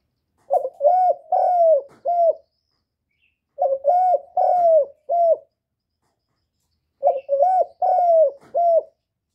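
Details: Repeated cooing of a spotted dove calling to lure other doves: three matching phrases of four soft, hollow coos, one phrase about every three and a half seconds, with clean silence between them.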